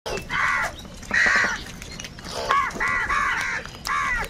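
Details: Crows fighting for food give loud, harsh caws in short bursts, about five rough calls spaced unevenly over a few seconds with faint background noise between them.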